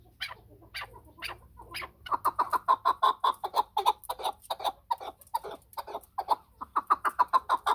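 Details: A few spaced, sharp notes open, then a chukar partridge breaks into a rapid, rhythmic chuk-chuk series that swells, dips and resumes, sounding loud and grating.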